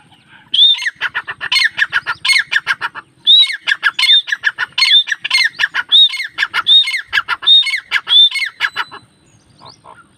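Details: Partridge call: loud, rhythmic phrases repeated about once a second, each opening with a bright hooked whistle followed by a burst of harsh, clipped notes, continuing steadily for the whole stretch.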